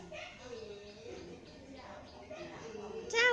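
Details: A talking common hill myna from Chiang Mai, northern Thailand, recites a blessing wishing wealth and well-being and ending with 'sathu', in a rapid, voice-like babble that ends in a sudden loud, clear whistled note.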